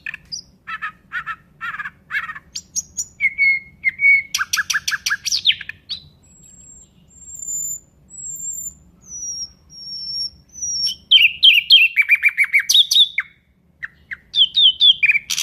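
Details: Nightingale singing long, varied phrases: rapid rattles and clicks, then low whistled notes and a dense buzzy trill. Very high thin sustained whistles follow, then fast chattering runs and churring bursts.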